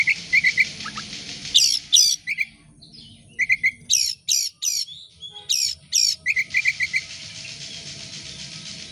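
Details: Oriental magpie-robin used as a song lure: harsh loud rasping bursts alternate with quick trios of bright clicking chips, repeated in irregular sequence over steady low noise.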